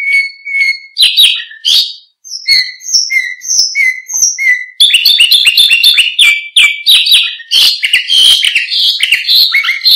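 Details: Canary singing for tutoring other birds: a long, varied song of clear whistled notes, buzzy bursts and fast bright trills, delivered almost continuously.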